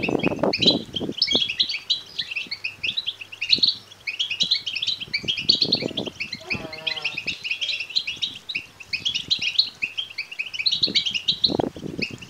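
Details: European goldfinch chicks begging, meant to prompt males to sing and mate; steady high, buzzy chirping throughout, with low thumps and a short, deeper droning harmonic sound partway through.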